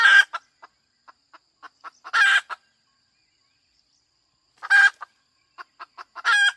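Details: Hen making repeated loud harsh squawks, each preceded by a string of short clucks, three squawks in all across the stretch.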